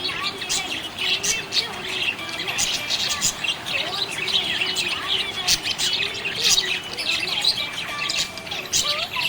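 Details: Budgerigars chirping happily, a continuous rapid twitter of clicks and short buzzy notes with wavering whistles, several birds overlapping throughout.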